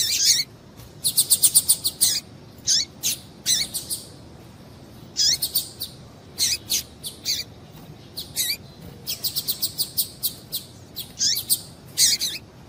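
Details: Female double-collared seedeater calls, used to excite males into singing: dense runs of bright high chirps, some in quick stuttering series of five or six, others spaced singly, continuing throughout with short breaks.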